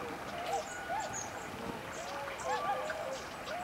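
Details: A group of swans at daybreak on 11 November 2010, giving quiet, scattered hooting calls with a rising inflection, along with faint high calls from forest birds.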